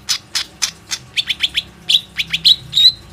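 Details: Plain-throated sunbird (konin) recorded on an Oppo A37f phone as a lure to get other sunbirds singing: sharp high chirps, then a quick series of down-slurred notes, ending in a thin drawn-out whistle.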